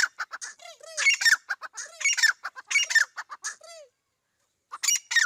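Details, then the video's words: Partridge, a teetar described as Iranian, giving rapid bursts of harsh, raspy squawks with short downward-sliding notes, several clusters then a brief pause before calling resumes. "Bhora teetar ki awaz Best voice irani teetar"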